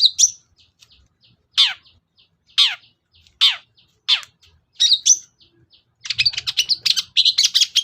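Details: Cendet, or long-tailed shrike, lure sound meant to coax a shrike that rarely sings: brief high notes, then strong downward-slurred calls spaced under a second apart, ending in dense, fast chatter.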